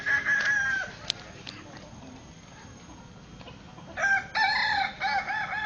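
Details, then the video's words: Kukuak Balenggek chicken at a Solok city crowing contest, birds staked in the ground: one crow syllable opens, then quiet chatter, then three or four loud rich crow syllables near the end. "perlombaan ayam kukuak balenggek dipancang tanah"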